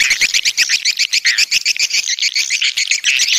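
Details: Swiftlets, a coastal type from the south, giving dense, rapid chirps, roughly four per second, with bright buzzy twittering layered over sharp clicks; several birds calling together in a busy chorus.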